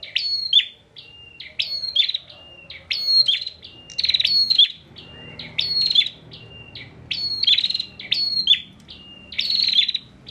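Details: Bar-winged prinia from Pemalang, Central Java, sings insistently as a master song for other songbirds: about nine buzzy, rattling phrases each trailing into a flat whistled note, evenly spaced.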